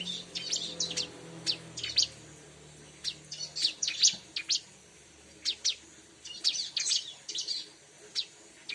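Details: Bar-winged prinia lure recording for attracting the same species: clusters of thin, high, rapid chirps in short bursts with brief pauses, quiet background.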